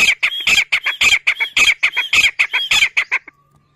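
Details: Grey francolin partridge calling: loud, harsh, ringing notes repeated rapidly in a steady rhythm, about four per second for three seconds, each sharp and grating, then stopping abruptly.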